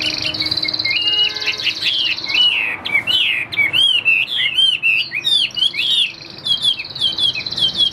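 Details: Vietnamese caged Chinese hwamei pours out a continuous stream of looping, slurred whistles, each phrase swooping down and up, sustained and varied over several seconds.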